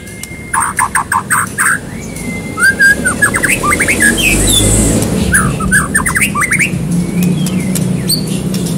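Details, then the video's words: White-rumped shama, lively gacor song meant to get another bird singing: quick bursts of clipped notes, a long level whistle, then rising and falling slurred phrases and rapid note runs, with a steady low rumble behind. "Murai batu Gacor pancingan cepat bunyi"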